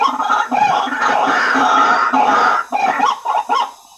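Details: White-breasted waterhen lure recording to attract waterhens: sustained raspy calling that breaks into shorter choppy notes near the end before fading out.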